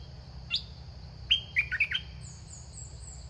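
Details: Caged red-whiskered bulbul used as a decoy to lure wild birds: a short, lively burst of liquid, chirpy warbled notes follows one brief high note, with faint high insect-like hiss and low background rumble.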